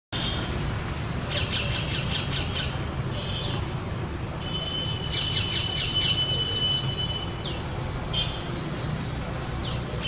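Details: Parrot chick being fed by its mother, giving rapid pulsed high squawks in bursts around one to three seconds long, with some short downward chirps, over steady low rumbling background noise.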